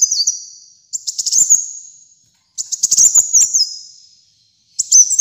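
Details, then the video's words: Energetic high song of the kolibri muncang sunbird, a track for training caged birds. Repeated bursts of quick, thin, tinkling notes with downward-sliding whistles, each phrase lasting about a second, with short pauses between. "Kolibri Muncang Gacor Dor"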